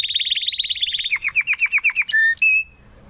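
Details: Young male canary, Spanish Timbrado of classic style, still developing his full song: a rapid ringing trill slowing into distinct downslurred notes, then two clear held whistles before silence.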